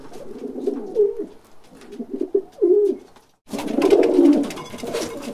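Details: Caged pigeons cooing indoors: a run of short, throaty, bubbling coos, a brief silence, then a louder, fuller rolling coo with rustling behind it.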